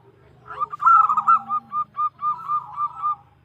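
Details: Female zebra dove calling the male: one quick burst of loud clipped coo notes, then a steady series of evenly spaced short pulses fading out.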